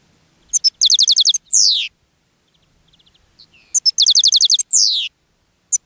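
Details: European goldfinch singing in a cage, drawing in other goldfinches: a quick high phrase of about seven repeated ringing notes closing with a falling buzzy slur, given twice about three seconds apart.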